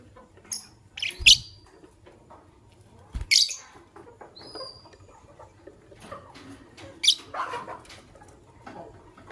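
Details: Morning chirping from white albino and pastel green Fischer's lovebirds, loud scratchy squeaks spaced a few seconds apart, mixed with softer ticking and faint high whistles, plus a couple of low thumps.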